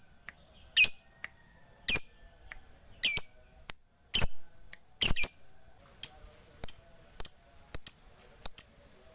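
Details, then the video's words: Fighter lovebird calling to rivals, a lure to get listless, silent lovebirds singing; harsh, sharp squawks spaced about a second apart, some doubled, with quiet gaps between. "Pancingan LB FIGHTER MEMANGGIL LAWAN, Berkat Suaranya Banyak Lovebird TAK LAGI LESU DAN BISU"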